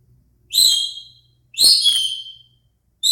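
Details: Pet Indian ringneck parakeet making noises it knows: two loud, high, shrill whistled screeches, each about a second long, separated by a brief pause.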